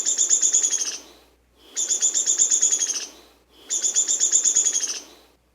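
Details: Downy woodpecker (Dryobates pubescens), eastern population, gives three rapid, high whinny songs, each a few notes that then run down the scale, repeated about every two seconds.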